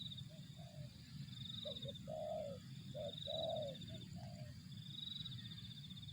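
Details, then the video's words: Low, mellow coos from a spotted dove: quick short notes leading into longer, rounded, slightly rolling coos. A pulsing high-pitched insect-like chirr and a low hum sit behind. "suara burung tekukur"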